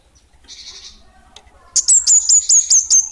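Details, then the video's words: Orange-headed thrush (kemade), 'bunga api kecil' song style: after soft rustling and a faint buzzy note, a run of six piercing, high whistled slurs starts, evenly spaced roughly every two-fifths of a second. "Kemade Bunga Api Kecil'' Suara Gacor!!!"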